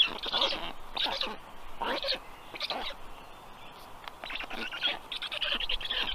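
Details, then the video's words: Black stork nestlings, three storklets, being fed herring in the evening of 15 June 2022; separate short grating, buzzy bursts roughly every second, with a quieter stretch midway. "Must-toonekurg2~Dinner for the storklets"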